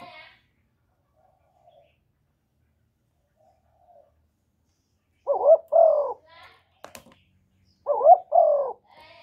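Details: Spotted dove cooing, played to stimulate male doves; after about five quiet seconds, two pairs of low hollow coos arrive, each a short rising-falling note followed by a longer falling one, with a faint click between them.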